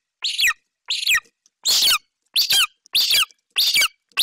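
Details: Young golden eagle at a nest in Bucovina, 28 July 2021, calling loudly as the mother brings prey; shrill, downward-sliding screams in an uneven series, some longer and harsher than others.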